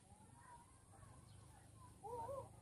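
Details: Crows (uwak) found at Bantay Mainit, Barangay Maligaya, Dipaculao, Aurora: after a steady low hum, one short harsh caw with a rough, bending tone rises near the end of the recording.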